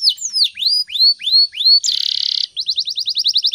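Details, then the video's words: Vigorous canary song in the morning, used as a lure to prompt other canaries to sing and learn: arching whistled notes, then a harsh buzzy burst, then a quick series of rising chirps. "PANCINGAN SUARA BURUNG KENARI GACOR PAGI HARI"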